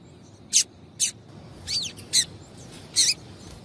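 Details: Female double-collared seedeater calling to rouse a male: five spaced high chips, one a slurred, falling note, each crisp and brief, over a low steady hiss.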